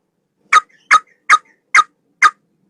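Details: Male sooty-headed bulbul training song likened to a straw-headed bulbul: five rich, slightly slurred whistled notes, one roughly every 0.4 seconds, with clean silence between them.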